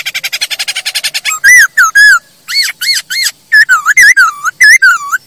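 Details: Masked laughingthrush song for training and prompting caged birds: a fast buzzy rattle of even pulses, then loud arched whistled notes with rising-falling slurs, repeated in short bursts.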